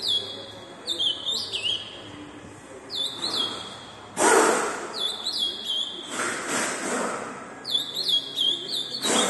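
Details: Ultramarine grosbeak (azulão) tournament bird singing fast: bright whistled phrases with downward slurs recur every couple of seconds, interrupted by loud broadband rattling or knocking bursts near the middle and end.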